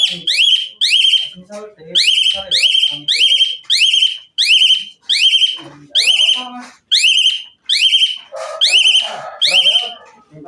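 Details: Asian pied myna in an excited song used as a prompt for other mynas: loud harsh rising notes delivered in tight pairs and triplets, repeated about every second, later mixed with rougher chattering.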